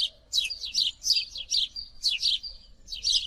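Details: House sparrow calling with a run of loud, harsh chirps, each a short downward-slurred note, repeated in quick irregular bursts, with a thin steady tone underneath and quiet background.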